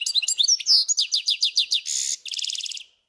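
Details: Caged goldfinch-canary hybrid in full song, a rapid string of high twittering notes and repeated sweeping whistles, then a buzzy rolling trill that ends the phrase.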